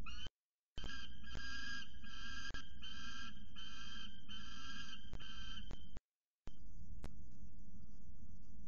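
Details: Juvenile male peregrine falcon on the nest ledge at CSU Orange, 12 December 2019, screaming at its mother for food: about seven harsh, grating screams over five seconds, then quiet, over a steady low wind rumble.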